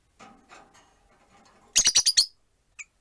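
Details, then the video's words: Pet rosy-faced lovebirds, four birds in a cage near a window with one on a perch, give a quick run of five shrill chirps, then a single faint note. "Lovebird Chirping Sounds"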